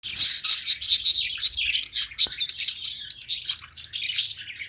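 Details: Pet budgerigar chirping while playing: dense, scratchy, high-pitched chatter that runs almost continuously, with short whistled notes mixed in and brief dips between bursts.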